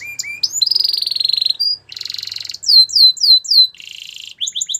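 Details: Canary song used to train canaries: short rising notes, a long buzzy trill, a harsh rattle, loud falling whistled sweeps repeated, another buzzy roll and short chirps at the end.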